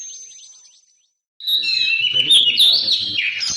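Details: Oriental magpie-robin (kacer) singing loudly in a lively, choppy 'ngobra patah' style used as a master song for training other birds: after a brief thin whistle and a pause, a dense burst of rich warbled phrases, with faint low background noise.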